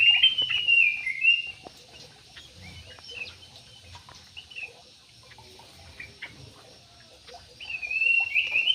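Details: Large parakeets kept in an aviary, giving harsh, screechy squawks in bursts at the start and end, with quieter chirps and clicks between.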